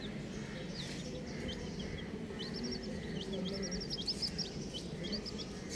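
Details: Colourful baby chickens chirping: short, thin, high peeps in quick bursts, some running together into rapid trilled strings, over a steady low rumbling background.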